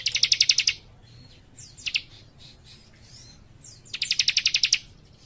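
A leaf warbler gives fast, high, buzzy trills of about ten clipped notes, each burst under a second. Thin rising whistles fill the gaps between bursts.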